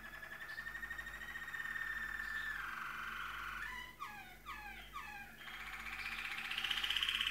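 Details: Malinois waterslager canary singing quietly: long sustained tones that glide slowly, broken by a rolling run of repeated descending sweeps in the middle, over background hiss.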